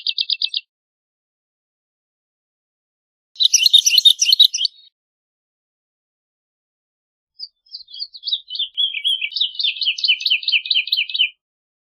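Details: Woodlark singing: a short buzzy trill, then a dense, scratchy chattering burst, then after a pause a long flowing cascade of repeated liquid notes descending slightly in pitch, about four seconds long.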